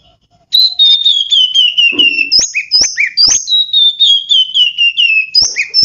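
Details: Singing kacer, or oriental magpie-robin, from a bird-keepers' collection: a run of descending whistles broken by sharp clicking chirps, then the whistled phrase repeats, rapid and continuous.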